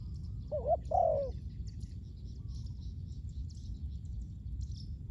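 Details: Spotted dove recorded for ground luring of wild doves: one cooing phrase, a short wavering double note followed by a longer descending coo, then only low rumbling background and faint distant chirps.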